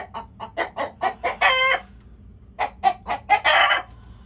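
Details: Chickens calling: a run of short, evenly spaced clucks building into a longer harsh squawk, then a pause and the same pattern repeats, ending in another drawn-out squawk.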